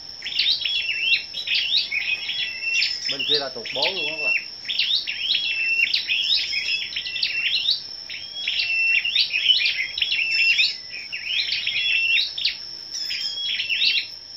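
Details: Scarlet-backed flowerpeckers at a morning singing contest, 10 May: long run of rapid, very high ticking and clipped whistles in repeated bursts, a brief wavering low voice-like sound near the start, and a steady high whine behind.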